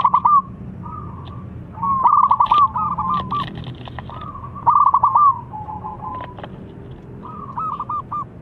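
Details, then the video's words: Local zebra dove singing, used as a lure to get silent doves to sing: rhythmic cooing phrases of quick stuttering notes running into longer level coos, repeated every few seconds, with fainter answering phrases between them over a low background hum. "Perkutut Lokal Gacor SUPER JOSSSS‼️ Pancingan yang Bisu"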